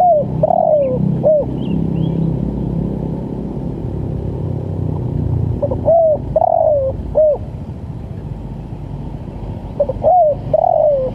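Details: Spotted dove repeating its 'lambung kuk' call, recorded for luring and training birds in East Java: three separate phrases of short notes and a descending coo, spaced by gaps over a constant low rumble.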